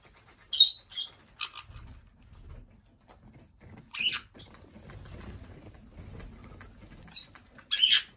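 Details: Black-headed parrot, a five-year-old pet female in a bird room, lets out short loud shrieks spaced a few seconds apart, with soft clicks and low rustling between them.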